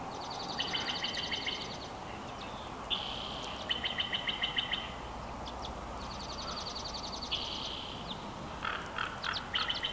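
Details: Bald eagle chortling at a Big Bear Valley nest, recorded on a nest camera on 12 June 2021. Three bursts of quick, high, ticking notes in runs are separated by short pauses, with a steady background hiss.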